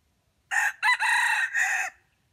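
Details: Red junglefowl crowing, a bird used as bait for trapping wild jungle chickens. It gives one short crow of about one and a half seconds: a clipped opening note, then a harsh, strained, drawn-out phrase and a falling tail, against a quiet background.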